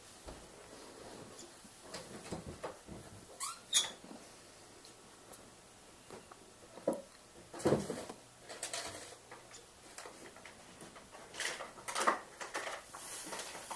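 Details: A downy woodpecker at a feeder pecks with irregular dry taps and scratchy knocks in loose bursts, with soft rustling between them.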